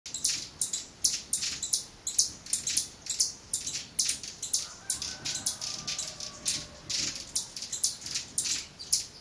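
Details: An apparently very happy Mexican violetear in the highlands of Guatemala sings a steady, monotonous run of dry, high chips, about five or six a second; a faint lower whistle joins briefly partway through.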